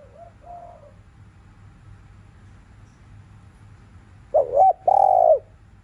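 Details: Spotted dove in the afternoon, thúc liu riu coo: a faint distant wavering phrase at the start, then quiet before a loud close phrase of a bent note, a clipped break and a long, level, soft coo.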